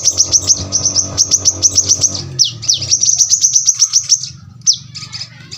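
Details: Brown-throated sunbird singing a tight, piercing series of high chips and downward sweeps, with a steady low hum beneath during the first half, then fading to scattered notes.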